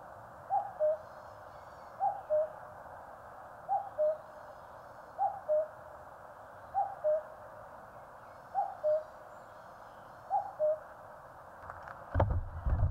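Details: Common cuckoo calling in the mountains of Korea: a two-note cuck-oo, the second note lower, repeated about every one and a half seconds, eight times over a steady hiss, with faint high chirps from other birds and a sudden clatter at the end.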